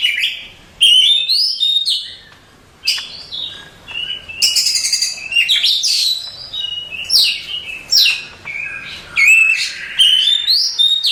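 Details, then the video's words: Oriental magpie-robin (Copsychus saularis), a contest-champion songbird, singing varied phrases of clear rising whistles and rapid buzzy trills, delivered in bursts separated by short pauses. "Suara Kicauan Burung Kacer Juara Kontes"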